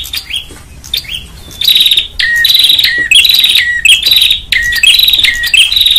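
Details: Prinia giving noisy, agitated calls, from a recording made as a bird-trapping lure: loud, high, buzzy chattering notes in dense bursts, each often ending in a short lower dropped note, repeating rapidly and overlapping with little pause.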